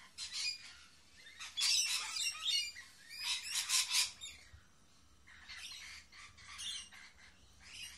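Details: Lorikeets, a mating pair indoors atop a monitor sharing grapes: loud raspy screeching squawks in dense bursts, a pause, then softer chattering squawks resuming.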